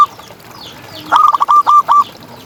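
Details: Local contest zebra dove, recorded as a tutor for quiet birds: one short phrase of five or six staccato cooing notes at an even pitch, slightly slurred at the start, over soft background hiss.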